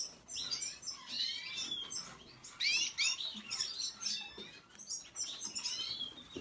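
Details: Red siskin singing a fast, high twittering song of buzzy trills and slurred whistles in dense bursts, with short gaps between phrases.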